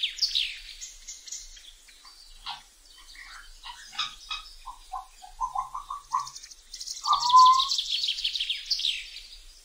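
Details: A busy medley of wild African grey parrot whistles, squeaks and chirps, with a run of quick mid-pitched notes and one clear drawn-out whistle near the end.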